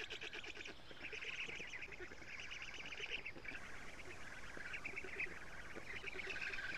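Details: Estonian black stork nest in June with nestlings being fed lampreys; loud rapid chattering series from several young, continuing through the clip over a hissing background.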